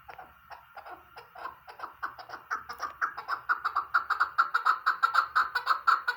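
Chukar partridge giving a run of harsh clucking notes that quicken and grow louder, about two per second, building into a rapid chattering series.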